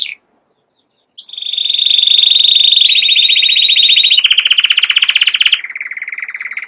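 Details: Canary song dominated by long rapid trills that shift step by step to lower pitch, each tour held over a second, after a brief opening note and a short silence.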